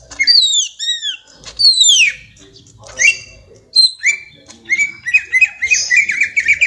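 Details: Greater green leafbird, young, singing ngentrok: clear downslurred whistles and sweeping notes, then a fast run of jerky, repeated whistled notes toward the end.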